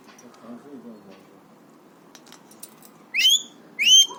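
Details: Three-year-old pet Alexandrine parakeet in a happy, excited mood, known for imitating coughs, whistles and screams. After quiet murmuring come two loud, sharp, rising whistled shrieks, spaced under a second apart.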